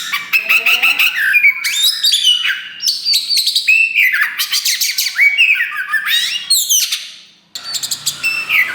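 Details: Kacer wulung (Oriental magpie-robin) in loud, nonstop song, a young bird only starting to push its tail: fast varied trills, sharp sweeping whistles and buzzy rattles, broken by one brief silence near the end.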